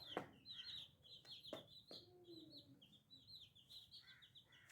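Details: Little chickens, several chicks together, peeping continuously: a busy chorus of thin, high, short cheeps overlapping, with a few sharp knocks and a softer lower cluck-like tone, all quite faint.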